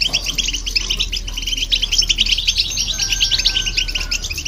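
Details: European goldfinch with a hybrid companion, song used to stimulate other birds; continuous rapid twittering chirps, with a thin steady whistle-like tone sounding underneath toward the end.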